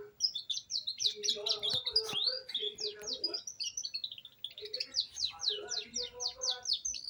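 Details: Young canary starting to roll, singing two long bursts of rapid, rhythmic high trills with downward slurred notes, separated by a brief, softer twittering pause; some lower warbled notes underneath.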